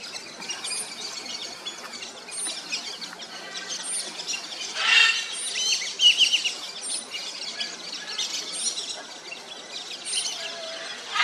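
Macaws give harsh, raspy squawks in loud bursts, against a steady backdrop of thin, high chirps from other birds.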